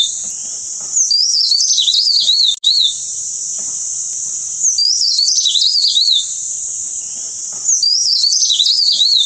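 A wren-babbler gives a high, thin, wavering phrase of quick jumbled notes, repeated about every three seconds over a steady shrill insect drone.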